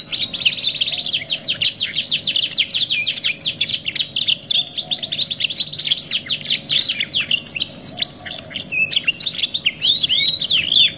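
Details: Extended canary singing from a 2-in-1 masteran therapy recording: long volleys of rapid chips and descending trills, then a sustained high rolling buzz and mixed whistles, nonstop, with a soft background hum.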